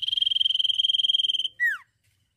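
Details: Sirtu in lively song: a rapid, evenly pulsed high trill lasting about one and a half seconds, ending in a loud slurred note that drops steeply in pitch.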